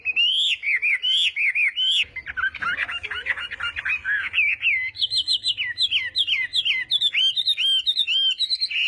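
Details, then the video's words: Chinese hwamei training its voice in the morning for a singing contest, moving from looping whistled notes through a jumbled buzzy passage to quick, high, clipped whistles. "Hoạ Mi Hót Đấu /hoạ mi hót sáng luyện giọng"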